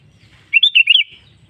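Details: Sooty-headed bulbul song played as a lure to get caged birds singing: one quick burst of bubbly, warbled notes, rising and falling over about half a second, with faint low rumble before and after.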